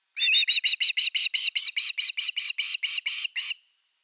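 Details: Osprey at nest 3, evening fish on 30 August 2021: a rapid run of about fifteen sharp, whistled, chirping notes, roughly four per second, steady in pitch and loudness.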